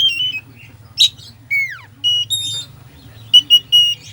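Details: Kacer (Oriental magpie-robin) in varied isian song aimed at provoking a slow bird: wavering whistles, a noisy burst, a downward-sweeping slur, then stacked high clear notes, over a low hum.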